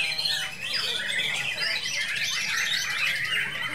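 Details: A contest-winning white-rumped shama, champion of a top class, gives a rapid, unbroken run of scratchy chattering and whistled notes. It mostly chatters, with occasional 'shot' bursts and imitations of cililin, kapas tembak and lovebird.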